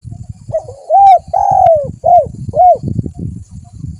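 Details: Spotted dove calling: a run of soft rounded coos, one drawn-out note in the middle, then two shorter coos, over low rumbling background noise.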